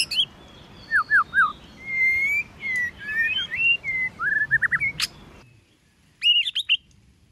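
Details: White-rumped shama in competition singing with many varied voices: a rich flowing run of whistled slurs, rising and falling phrases and sharp accents, over steady background hiss, ending after a pause with a quick trill of notes.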